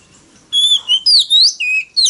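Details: Oriental magpie-robin fighting song for luring rivals: after a half-second hush, a few long, pure whistled notes, some flat, some swooping upward, with short gaps between them.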